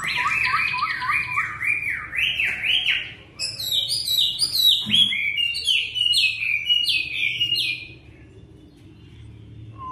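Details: Caged Chinese hwamei kept in a room at home, singing on a very cold day while its plumage is not yet fully grown in; loud varied whistled phrases, rising and falling slurs repeated rapidly, with sharper high notes in the second half.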